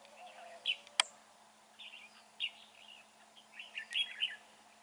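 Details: Red-whiskered bulbul calling from a fighting trap on a gloomy, overcast day: several short sweet warbled phrases with a loud click near the start.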